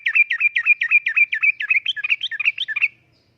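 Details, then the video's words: Sooty-headed bulbul singing vigorously in the uplik-uplik style, used as a lure and tutoring song: a fast run of about fifteen short, bubbly notes near the same pitch over three seconds, turning more varied and warbled toward the end before stopping. "Kicauan Suara Burung Trucukan Gacor Uplik Uplik,Pancingan Trucukan Gacor,Masteran Trucukan"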